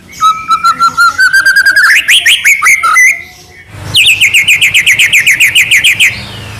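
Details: White-rumped shama in trotol gacor song: a steady whistled note climbs into rapid tumbling phrases, then after a brief gap comes a long run of quick, loud, repeated chirps at an even pace.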